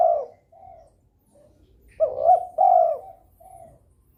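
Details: Spotted dove in breeding condition, cooing to stimulate rivals: the end of one coo, soft low murmurs, then a full phrase of two short notes and a long drawn coo, followed by a faint trailing coo.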